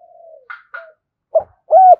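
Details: Spotted dove in thổ voice 'thúc gù' cooing, meant to stir wild and lure doves: a soft fading coo and faint chirps, then a short note and a loud arched coo.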